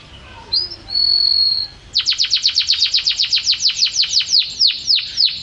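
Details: A champion canary gives a few soft notes and a held high whistle, then breaks into a long rolling series of sharp descending notes, about four per second, slowing slightly at the end.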